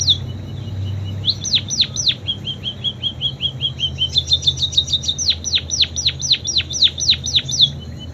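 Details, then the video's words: Munia song full of canary imitations, made of high chirps, quick bursts of downward-swooping notes, a run of softer repeated ticks, then a fast rolling trill of sharp sweeping notes. Low steady hum underneath. "Burung PIPIT Full isian KENARI"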